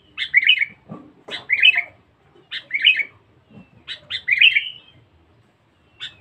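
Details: Wild-caught, very loud and aggressive sooty-headed bulbul giving bright, bubbly three- to four-note phrases, each about half a second long, repeated roughly every one and a half seconds, with faint low thumps between.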